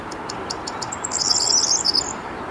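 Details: Corn bunting singing in the Rheindürkheimer Spieß nature reserve near Worms, Germany, on 23 May 2022 at 20:00: a run of about six high, quickening ticks that breaks into a shrill, jangling, glassy jingle, over a steady low background rumble.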